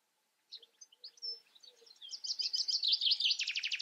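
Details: Sparse, thin chirps from a European goldfinch speed up into a dense, liquid twitter and end in a fast, buzzy trill.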